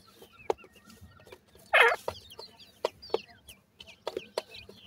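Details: Several francolin chicks peep thinly while feeding. Brief high chirps run alongside sharp tapping clicks, and a loud rough rustle sounds early on.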